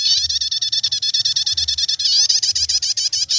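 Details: Continuous chattering prinia song, known locally as nyetater and played to lure or tutor birds: high, buzzy pulsed notes repeated quickly and steadily for the whole stretch, with a faint low hum beneath.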